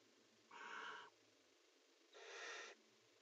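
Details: Barn owls mating inside a nest box give two harsh, hissing screeches about a second and a half apart, each lasting roughly half a second, against a low, steady background hum.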